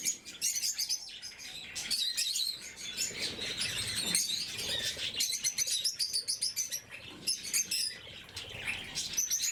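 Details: Blue-mutation lovebirds at morning feeding, several birds calling at once: a dense, shrill stream of sharp chirps and squeaky twitters, nearly continuous, with brief pauses and faint rustling beneath.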